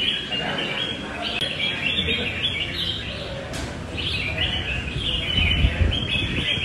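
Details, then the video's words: Singing loud and long while fighting, a responsive, tail-flaring red-whiskered bulbul gives rapid chirpy whistles, roughly three to four notes a second, in two main runs separated by a brief lull, over low background rumble. "Cb nhạy xoè, to dài đấu đẹp nết cánh bướm"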